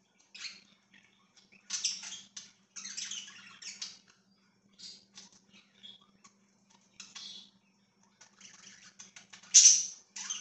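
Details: Pet budgerigars indoors giving scattered, raspy chirps and squawky bursts in short clusters with quiet gaps, plus a faint steady low hum underneath.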